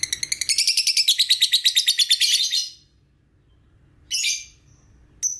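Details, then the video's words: Lovebird used to draw out 'ngekek' singing: a high, rapid, rattling trill for nearly three seconds, then a pause and two short sharp chirps. "Suara Love Bird Anda Ngegkek"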